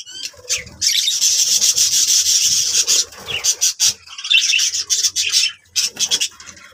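Budgerigars chattering in harsh, scratchy bursts of high, rasping warble.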